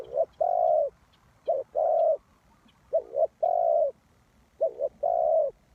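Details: Lure spotted dove for trapping, calling a steady series of low cooing phrases, each a quick two-part note then a long smooth coo, repeated four times with brief pauses.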